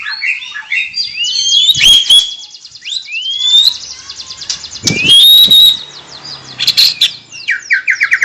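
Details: White-rumped shama song, a varied run of whistled and chirping phrases: rising sweeps, trills and fast rattling notes, with brief loud bursts and pauses between phrases.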